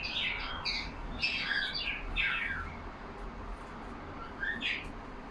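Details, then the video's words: Pet budgerigars in a cage chirping among themselves, a few scratchy downward-sliding squawks in quick clusters, then a pause before one more rising squeak. "Lovely parrots talking among them."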